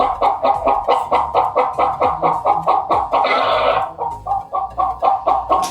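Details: A hen played as a guessing sound for a primary school class: rapid, regular clucks repeated about twice per second, with a brief louder squawk mid-clip, then the clucking resumes.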